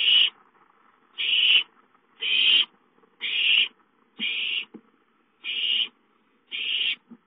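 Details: Owlets begging for food at home, dated 5-9-13: a steady series of seven harsh, breathy screeches, each under half a second, spaced about one second apart over a quiet background.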